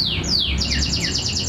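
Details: A White-rumped Shama from a captive breeding pair kept in a small breeding cage in Medan gives two high, falling whistles, then a quick run of short down-slurred chirps about five a second, over a low background hum.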